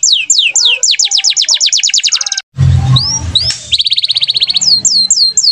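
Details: Canary (kenari) in full gacor song: a rapid trill of descending sweeps, a brief break with a low rumbling noise, then rising slurs and another fast even trill followed by falling whistled notes.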